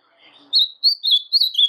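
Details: Fragment of song from a brown-plumaged caged blue-black grosbeak: after a faint murmur, three or four loud, clear slurred whistles follow each other in quick succession.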